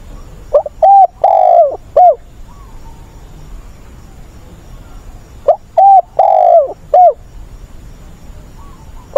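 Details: Spotted dove decoy in an agitated wild-bird style, used to speed the training of newly caught birds. Two loud phrases roughly five seconds apart each hold a brief note, a steady coo, a drawn-out gliding coo and a short end note, with quieter cooing in between.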